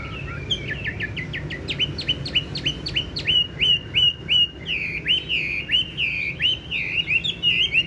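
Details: Caged, tame Chinese hwamei with yellow legs and bill, kept for its loud voice, sings fast upslurred whistles repeated about three per second, later breaking into warbled, looping phrases over a low background hum.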